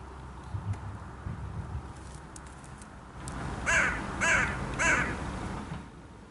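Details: A carrion crow, one of three regularly visiting crows, on 14 March 2016, gives three harsh, hoarse caws about half a second apart, over low background rumble and a few faint clicks.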